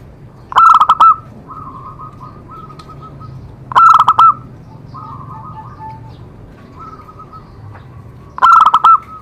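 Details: Zebra dove song used to get other doves singing: three loud, clipped coo bursts several seconds apart, the gaps filled with soft, rolling trilled notes at a steady pitch.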